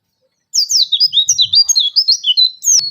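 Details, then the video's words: Oriental white-eye, kept as a songbird, singing in the rapid 'nembak-nembak' burst style: a quick run of high, thin, twittering chirps and sweeping notes packed tightly together, ending in a sharp upward-gliding note. "pleci gacor belajar buka paruh full materi nembak-nembak"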